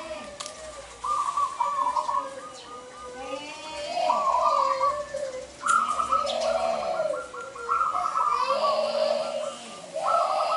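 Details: Local zebra dove singing to call in males for trapping: low, pulsing cooing phrases of rolled notes, repeated every second or two and overlapping, with faint higher chirps of other birds and a steady background hiss.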